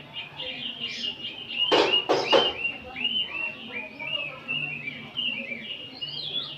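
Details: Oriental magpie-robins in an ombyokan chorus on an afternoon, played to train a kacer to open its tail. A stream of short slurred whistles runs throughout, interrupted early by two loud sharp knocks.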